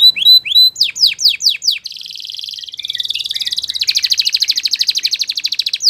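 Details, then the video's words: Belgian canary singing: quick descending whistled notes, then a buzzy sustained trill and a fast rattling roll of repeated high notes. "Belgian Canary Song That Fascinates Everyone!!"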